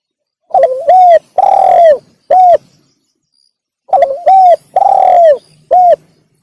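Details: Spotted dove call played to lure wild doves: a loud phrase of a short hooked note, a long level coo and a brief final coo, repeated after about two seconds of silence, with a harsh, overdriven tone.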